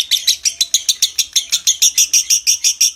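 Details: Konslet lovebird's long ngekek trill, recorded to bring on breeding condition: loud, piercing, evenly spaced high notes, about six a second, with a clear whistled top to each note.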